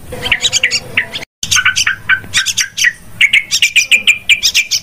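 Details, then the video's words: Yellow-vented bulbul lure call used for trapping birds, described as very noisy: busy bursts of bright chattering notes and short rising chirps, repeated rapidly, with a brief silent gap early on. "SUARA PIKAT BURUNG TRUCUKAN"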